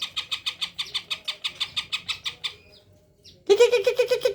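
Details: When approached, a tame Greater green leafbird delivers abundant isian: an even run of sharp chirps about four per second, a brief pause, then a loud lower, rapid warbling phrase.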